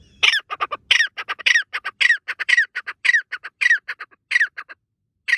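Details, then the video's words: Francolin jumping about happily in a forest, calling noisily: loud, harsh, raspy squawks with clipped follow-up notes in quick, uneven bursts, nearly two notes a second, against an otherwise quiet background. "The partridge happily jumps and makes noise in the forest"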